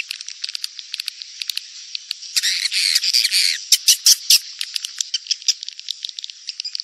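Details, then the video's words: Lure call for rainy-season swiftlet breeding, edible-nest swiftlet: quick high ticking chirps about two or three per second, with a louder burst of chattering buzzy trills midway and a few sharp clicks. "SP Birahi Musim Hujan"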